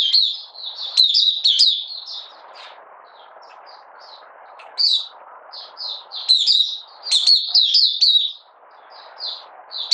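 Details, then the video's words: Caged Oriental white-eye from Malaysia, out of form and in minor moult, singing on 31 July 2023. Rapid high twittered phrases alternate with scattered thin chips, while a soft broadband hiss fills the gaps. "Malaysian Mata Puteh Buka Sing"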